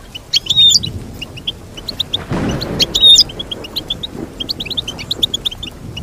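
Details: Twittering goldfinch song with two bright, complex phrases climbing high, interspersed with quick chirps; a brief rushing noise burst cuts in midway.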